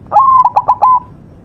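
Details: Close, clear cooing phrase from a white zebra dove: a quick rise into a sustained tone, a run of four short punchy notes and a held closing coo, then quiet.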